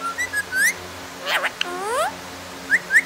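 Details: Pet parrot producing a busy run of short upward-sweeping chirps, a cluster of rapid descending and rising squeaky sweeps in the middle, and two final bright rising chirps.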